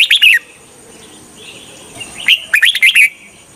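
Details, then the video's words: Red-whiskered bulbul used as a decoy to lure wild birds for trapping; two short bursts of bright, warbled whistled notes sliding down, the second phrase a quick run of five or six notes. "Chào mào mồi cực nhạy _ Âm thanh cho ae đi bẫy _ Chào mào mồi dụ bổi rừng"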